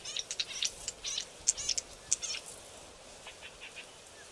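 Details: Young Green-backed Camaropteras practising calls in dense riverside bush: rapid thin high chirps and clicks bunched in the first half, then softer scattered notes fading away.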